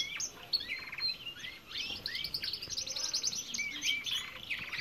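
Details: Belgian canaries in an aviary, a mix of bright whistled notes, quick chirps and buzzy trills overlapping from several birds, with rising and falling slurs throughout.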